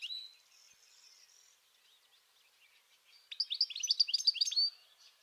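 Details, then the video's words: European goldfinch singing by the Tagus River at Aranjuez, Madrid, Spain: a quick, liquid burst of tinkling, twittering notes after softer thin calls. "JILGUERO EUROPEO y SU CANTO"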